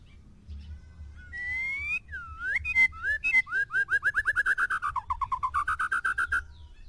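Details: White-rumped shama, a short-tailed bird from Medan set against another, singing loud, varied whistled phrases: rising slurred notes, then a rapid series of about twenty repeated clear whistles, with some low background hum.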